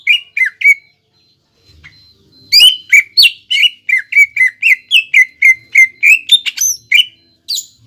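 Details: Greater green leafbird song used as a lure to get a bird singing: a few whistled chirps, a pause, then a long, fast, lively run of bright, slurred whistles, several per second.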